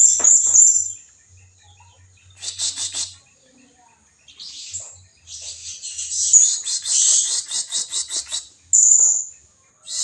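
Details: Blue-crowned hanging parrot lure call used to attract rivals: high, shrill buzzy chattering bursts and thin whistles, repeated in clusters with short pauses, faint low hum underneath.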